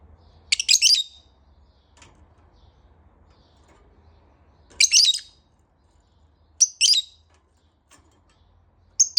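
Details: Lovebird in the morning giving shrill, high chirping bursts, three clusters of rapid scratchy notes spaced about two seconds apart, with a faint low hum beneath and quiet gaps between.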